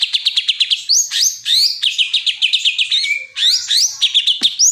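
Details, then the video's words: A greater green leafbird delivers a continuous, energetic song: rapid trills of evenly spaced high notes, upward-swept whistles and a steady whistled tone, with hardly any gaps. "Cucak ijo bikin pedes kuping"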